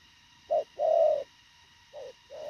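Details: Spotted dove of the Thổ khàng type giving fast, short and concise cooing: four low hollow coo notes, the second one long and drawn out, with brief silent gaps between them and a faint steady hum behind.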